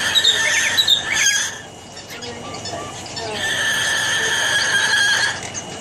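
An umbrella cockatoo gives high, squealing, harmonic screeches in two long bursts separated by a brief quieter pause.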